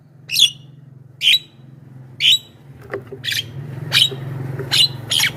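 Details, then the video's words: Javan myna lure song: sparse sharp whistled chirps about once a second over a steady low droning hum. "SUARA BURUNG JALAK KEBO,suara masteran paling dicari,ahli pancingan dengan variasi suara"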